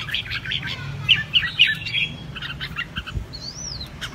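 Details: Caged red-whiskered bulbul in competitive singing: a run of rapid crisp chirps, three loud ringing notes in the middle, then a single drawn-out rising and falling whistle. Faint low hum beneath.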